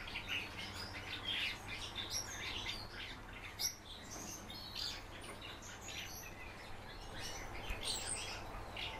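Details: A kept common house martin, encouraged by its keeper, pours out a steady chattering twitter of dense high chirps and buzzy trills for about nine seconds, with a low background hum.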